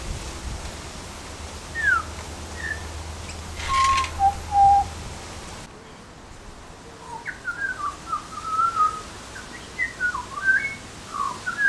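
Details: Butcherbird calling: clear fluted whistles, some sliding downward, given singly at first, then a livelier string of short rising and falling notes in the latter half, over faint background hiss.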